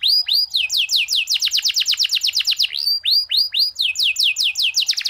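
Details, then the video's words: Canary singing varied phrases for use as a training master: fast sequences of sharply descending whistled notes repeated several per second, with a brief pause mid-way before resuming. "cuit cuit kenari gacor gerol panjang cengkok unik dan mewah cocok untuk masteran"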